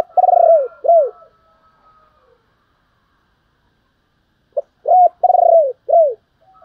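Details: Decoy spotted dove calling to attract wild doves: a long mellow coo and a second arched note, a pause, then a short note leading into three more rounded, falling coos.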